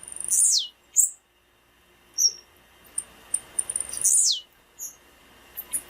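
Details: Blue-black grassquit female calling, used by keepers to warm up a cold male so it sings: high piercing downslurred squeals, brief sharp chips between them, and a second long descending squeal near the end.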